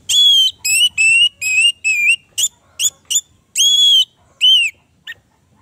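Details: Orange-headed thrush delivering clear, loud whistled phrases, some drawn out and slightly wavering, others short and clipped, about a dozen notes with uneven spacing and near silence between them.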